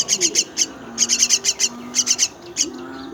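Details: High, scratchy begging calls from myna chicks at feeding time, delivered in short clusters of three or four notes over a faint low droning tone.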